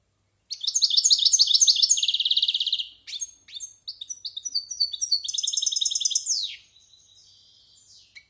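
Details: European goldfinch about a year old, practising a varied song: a fast twittering phrase into a buzzy trill, a short pause, then more tinkling, chattering notes and a second trill, with a faint hiss afterwards.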